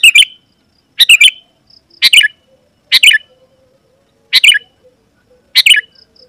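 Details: A lively Sooty-headed bulbul, sung to provoke wild rivals into replying, gives six short chirpy phrases, each a quick cluster of two or three notes, at about one per second with faint soft notes between.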